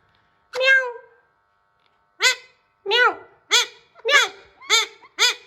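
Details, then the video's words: Hand-tame raw Alexandrine parakeet trying to talk, kept indoors: one drawn-out harmonic note, a pause, then six short arched, nasal calls in quick succession, each rising and falling, with faint background hum. "Handtame Raw Parrot Trying To Talk Clearly"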